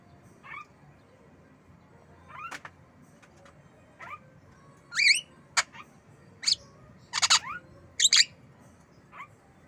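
A Javan myna gives about a dozen sharp, high chirps and squeaky whistled notes, spaced irregularly and louder toward the end, over a faint background hiss.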